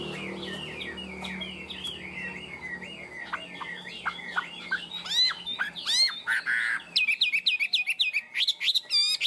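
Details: Caged, tame Chinese hwamei: a low, rambling warble builds into sharp falling sweeps and a buzzy note, then a rapid volley of high, clipped whistles.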